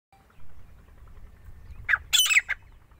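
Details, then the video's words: Grey francolin (desi or gora teeter) from Punjab: after quiet low rumble, a short harsh squawking burst of three or four rasping notes arrives near the two-second mark, then fades back to faint background. "desi teeter ki awaz| jungli teeter ki boli | gora teeter punjab | grey francolin voice"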